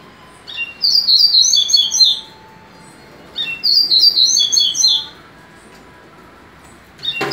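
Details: Captive-bred double-collared seedeater giving two similar rapid song phrases about two seconds apart, each a bright, tumbling series of sharp high chirps, followed by a brief click or knock near the end; quiet room hum between.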